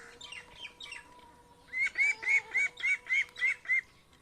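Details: Village ducks and ducklings in India heading to the pond: first a few soft, faint peeps, then eight loud, clear, slightly rising peeps, evenly spaced about four per second, over a steady low hum.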